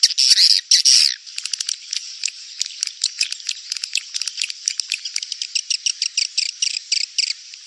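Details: Edible-nest swiftlet mating lure call for the rainy-season breeding period: loud harsh buzzy bursts at the start, then dense rapid high clicks and sharp chirps, irregularly spaced, over a steady hiss.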